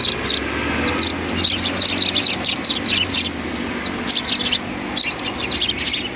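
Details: Sparrows gathered in front of a cultural hall on 7 February 2020, greeting arrivals with dense overlapping chirping. Many short bright notes run almost continuously from several birds, with low traffic rumble beneath.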